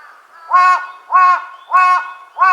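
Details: Large-billed crow at Konuma lake, Japan: four loud, hoarse, harmonic caws, each about a third of a second long, repeated roughly every 0.6 seconds.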